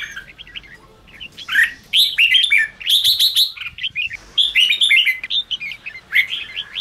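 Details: Red-whiskered bulbul song used to provoke caged wild-caught bulbuls: dense bubbling whistles and rapid chirps, several overlapping phrases after a quieter opening second.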